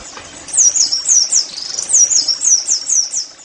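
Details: Oriental white-eye song for making caged birds sing: a series of high looping downslurred whistled notes, roughly two per second, thin and sweet with faint background hiss.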